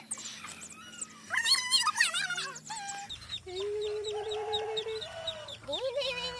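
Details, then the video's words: A mother duck guarding her ducklings, said to be angry, gives harsh wavering calls; a run of thin, high duckling peeps repeats about every half second as a person speaks between calls; 14 October 2020. "FUNNY DUCKS SOUND"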